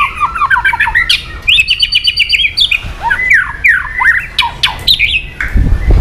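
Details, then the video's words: White-rumped shama song aimed at provoking aggression, a busy mix of falling whistles, harsh squawky notes and a fast twittering passage, with a low thump near the end. "AWAS MURAI BATU MU IKUT EMOSI"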